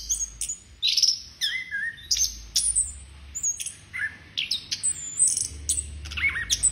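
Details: Orange-headed thrush (Geokichla citrina) singing a rich, varied run of high whistles, sharp chirps and sliding notes, delivered in quick bursts with brief pauses between them.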